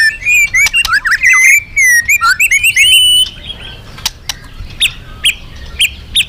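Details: Loud, vigorous magpie-robin song used to lure other birds: three seconds of rapid warbled whistles and trills sliding up and down, then brief sharp chip notes repeated roughly every half second.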